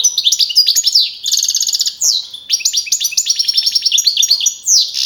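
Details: European goldfinch, a young male contest bird that won first place in a Madrid-region singing competition in April 2012, delivering rapid high twittering song with buzzy trills and fast repeated notes, pausing briefly mid-phrase.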